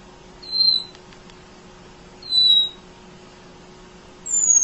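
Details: Munia singing tirelessly, used as a master recording for training other songbirds: thin high whistled notes, three spaced calls about two seconds apart over a faint steady hum.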